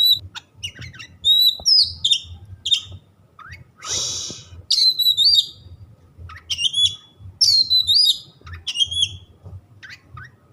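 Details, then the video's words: Kept white-rumped shama delivering rich whistled phrases with sharp upward and downward slurs and harsh chattering notes, sung in bursts about every second, one broad noisy rasp midway; faint low hum behind. "100% Nyambar Kacer anda setelah mendengar suara kacer yang satu ini."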